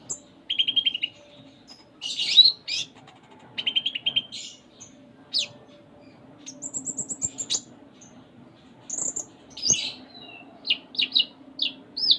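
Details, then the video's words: Konin in full-isian song: short trills, buzzy bursts and thin high whistles, separated by brief pauses. "Konin Gacor Full Isian"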